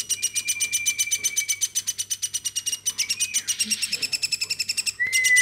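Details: Captive woodpecker raised from a baby, calling without pause; quick regular pulses about four a second, high and rattling, with a level whistled note running underneath and a brief rising whistle near the end.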